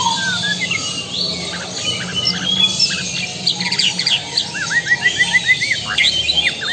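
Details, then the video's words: Song of a Lampung-type white-rumped shama: jumbled high notes give way to a neat series of repeated hooked chirps, quickening toward the end. "Murai batu Lampung Super XBL"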